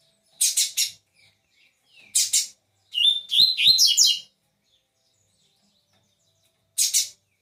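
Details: Captive double-collared seedeater singing on the perch, tournament bird: rasping double buzzes, a short series of sweet, rising whistled notes, then another harsh buzz after a pause. Quiet room.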